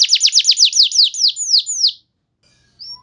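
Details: Canary lure song: a run of about a dozen fast downward-sweeping whistles slowing toward the end, followed by near silence and a faint distant note.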